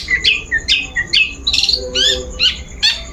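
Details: Long-tailed shrike sound meant to provoke a bird into song: scratchy notes repeated about twice per second, mixing short rising whistles with buzzy harsh chirps, close and clear over a low background hum.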